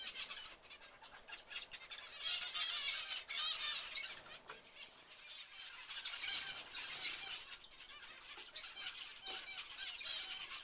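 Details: A flock of zebra finches keeps up rapid overlapping nasal calls, about four notes a second, swelling louder in bursts and easing back between them.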